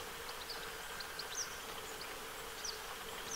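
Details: Several short, sharp, high descending calls from western yellow wagtails, a family bathing by Lake Hornborgasjön in Sweden, 15 August 2023, spaced irregularly over a few seconds above a constant background drone.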